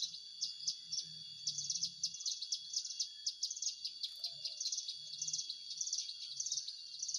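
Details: Hill prinia (prenjak gunung) call played as a lure for trapping: quick high chirpy notes in short bursts, repeated roughly every half second, over a steady high insect-like whine and faint low rumbling.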